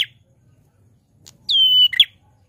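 A prinia gives a loud, drawn-out whistle that slides slightly down, then a short, harsh, buzzy note. A brief sharp chip comes just before.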